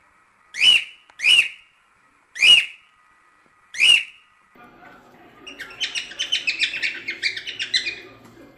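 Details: Cockatiel whistling to teach chicks to sing: four sharp, bent whistled notes, then a long sequence of rapid, pulsing chattery notes that rise and fall in loudness.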